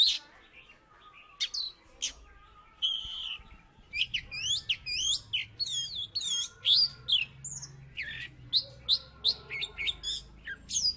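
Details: Oriental magpie-robin, a past third-place contest bird from Salatiga, singing actively: a few scattered whistles, then a fast run of sharp, clipped notes repeated about three times per second.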